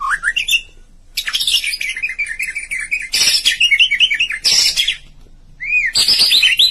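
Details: White-rumped shama chirping: loud, rapid series of bright warbled notes and harsh broadband bursts, broken by short pauses, ending in rising whistled phrases.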